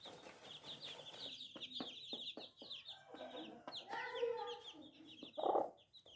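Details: Newly hatched baby chicks cheep in a busy, high-pitched chorus, thinning toward the end. Rapid dry clicks punctuate the first half, then a few lower, hoarse squawky calls and a loud short burst follow.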